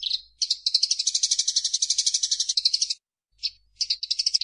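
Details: Eurasian tree sparrow in lively 'gacor' chattering, made as a training recording for songbirds: a long rapid buzzy trill of about two and a half seconds, a pause, then a single chirp and another fast rattling burst.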